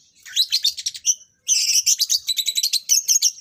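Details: Captive lovebirds being matched as a breeding pair: two bursts of fast, shrill, high-pitched chattering, rapid repeated chirps separated by a brief pause.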